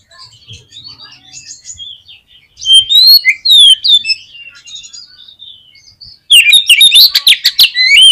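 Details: Oriental magpie-robin song, played to provoke a pet bird into singing: scattered high whistled and chirped notes, then loud bursts of sharp rising and falling whistles and rapid clicky phrases near the end.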